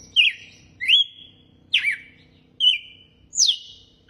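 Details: Red-cowled cardinal singing in the açoite style: five loud, clear whistled phrases, each a sharp downward slur settling into a steady held tone, spaced roughly every 0.8 seconds, with a faint low hum beneath.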